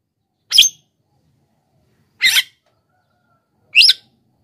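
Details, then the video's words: Javan myna (jalak kebo) call used as a lure to attract wild birds: three short, harsh, noisy bursts about one and a half seconds apart, each a quarter second long, against silence. "suara pikat JALAK KEBO GACOR...suara untuk pikat dan pancingan untuk jalak yg macet bunyi"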